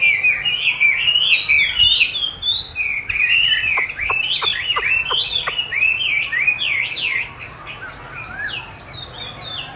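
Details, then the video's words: Chinese hwamei responding to playback of its own voice in song training, eager to duel it: continuous rich melodic whistling with rising and falling slurs and a short burst of sharp ticks in the middle. "Dùng đúng giọng hót của nó để luyện hót cho nó(công nhận nó rất thích đấu với chính giọng của mình)"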